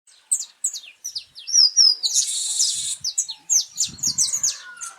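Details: Wild saffron finch singing in early November in cold, rainy weather, before nesting begins: rapid high chirped notes sliding downward, with a dense buzzy burst around the middle and faint low thuds underneath.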